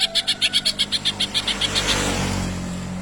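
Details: Greater green leafbird singing a mimicked kingfisher phrase: a fast series of about fourteen sharp, evenly spaced chip notes over two seconds, then a passing vehicle's low rumble takes over.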